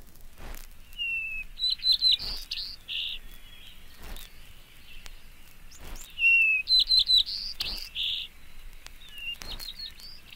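Two White-crowned Sparrow songs, each a clear whistled opening followed by a run of higher buzzy, jingling notes, about four seconds apart, with faint clicks behind.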